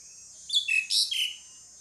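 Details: Pied myna call: one short burst of harsh, buzzy, high notes, about three linked squawks sliding downward, over faint steady background hiss.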